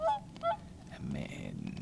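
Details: On a windy, cold sunrise morning at a small pond, one of two Whooper Swans that have just arrived gives two loud, raucous, brassy trumpeting honks about half a second apart, then wind rumble and faint background noise.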